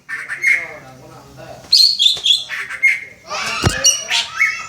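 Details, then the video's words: Young greater green leafbird learning to sing and copying the "Om Telolet Om" bus horn. It gives a varied run of squeaky, harmonic chirps and squawks, with bright high notes and a sharp click partway through. "Cucak ijo belajar berkicau "Om Telolet Om""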